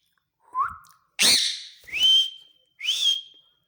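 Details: Male green ringneck parakeet said to speak: a soft rising whistle, then a harsh screech and two ringing high whistles that rise and hold, in under four seconds.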